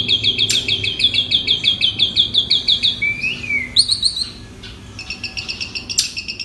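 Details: Asian pied starling song used as a training recording to teach other birds: rapid high buzzy trills repeated about three times a second, broken by a downslurred whistle and a short pause before the trilling resumes.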